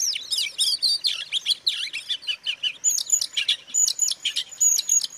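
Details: Song of a white-rumped shama meant to make rival shamas agitated: fast run of looping whistled and slurred notes, then a series of short repeated clipped chirps about every quarter second, loud and steady throughout.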